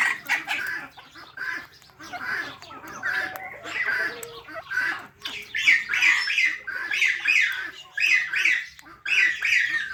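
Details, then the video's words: Parrots chirping and squawking, harsh grating notes grouped in repeated bursts, growing louder and more regular toward the end, with sharp clicks early on. "Natural Parrot Chirping Sounds"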